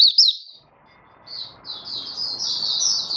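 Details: Malaysian white-eye singing in warm, sunny Singapore weather, March 2023: one short high twitter, then a run of thin, high, smeared notes growing louder, over a faint background hum.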